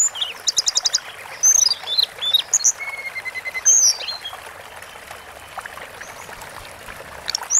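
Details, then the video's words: Masteran recording of a Sunda forktail: a quick burst of high rattled notes, then scattered thin whistles and a flat sustained tone. The singing fades into a quieter hissing stretch before resuming at the end. "BURUNG TLEDEKAN GUNUNG MASTERAN DURASI PANJANG"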